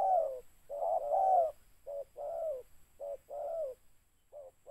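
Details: Spotted dove; rich hoarse coos, short notes paired with longer falling ones, repeated about once a second.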